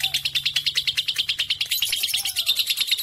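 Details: Lovebird tagged 3.5, a bird described as daring to trek with adults and fit for tutoring; steady run of sharp, high chirps pulsing roughly three per second, growing slightly brighter toward the end.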